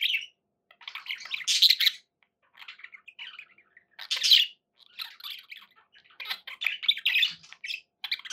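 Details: Several seconds of pet budgie chatter: rasping, buzzy warbles and sharp chirps in irregular phrases roughly every few seconds, with loud peaks near the start and middle.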